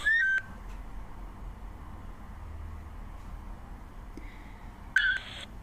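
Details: A male and female African fish eagle duet-call at a waterhole in Africa on 4 August 2025: two short, loud, ringing yelps about five seconds apart, with quiet background in between.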